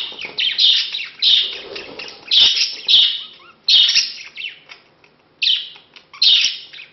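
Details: Courting male budgerigar and his female of two months, ending in mating; loud raspy chirps in uneven clusters, a near-silent gap around five seconds, then a few more sharp chirps.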